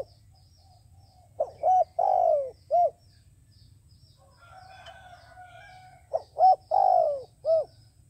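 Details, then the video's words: Decoy dove for bird trapping, calling steadily: two matching phrases, each made of a quiet opening note, two quick hoots, a long slurred coo and a short end hoot, separated by a few seconds of faint hum and distant twittering. "Tiến cu mồi gáy chuẩn, gọi là đếnh"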